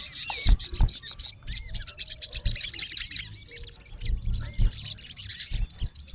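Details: Male sogon, the olive-backed sunbird, calling a rival: a couple of high squeaky notes, then a long rapid rattle of piercing chips, easing into looser high twitters.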